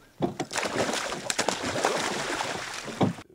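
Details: Paddle strokes and water sloshing against a boat, with possible faint speech and no animal calls.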